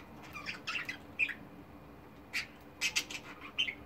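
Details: Multicoloured domestic budgies give scattered harsh squawks and chirps, grouped in short bursts separated by a quiet stretch, over a low hum.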